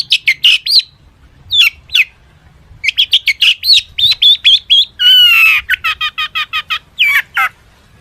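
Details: Long-tailed shrike in lively full song packed with mimicked phrases, used to prompt other shrikes to sing: rapid bursts of sharp chirps, rising whistled notes, a buzzy harsh rattle midway, then quick descending whistles.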